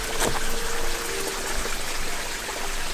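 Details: Water trickling and splashing with steady low rumble, a faint hum, and no animal voice.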